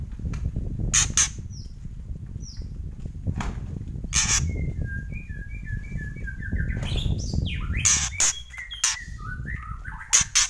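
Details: White-rumped shama alternating harsh crackling kretekan bursts with runs of quick whistled notes in varied pitches, against steady low background noise.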